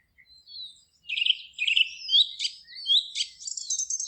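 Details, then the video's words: Forest birds singing: rapid high twittering phrases, trills and short whistled notes overlap almost without pause, with a quiet background. "Forest relaxing sounds of singing birds"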